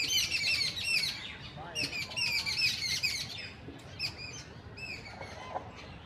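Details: Birds chirping in an Indian jungle patch inside a city: bright, high twittering notes repeated in quick bursts and fast trills, with several callers overlapping against a soft hum of background noise.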